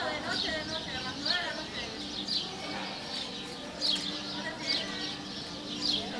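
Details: Cuban emerald hummingbird, known locally as zun-zun, in Cuba. Sharp, high chipping notes come in short bursts about once a second over a steady, soft background hiss.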